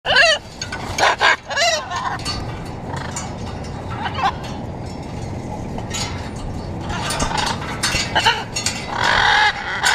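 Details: Blue-and-yellow macaws visiting a balcony water drinker in Caracas, Venezuela, flying and drinking, give loud, harsh squawks in a burst at the start and again near the end, over a steady hum of background noise.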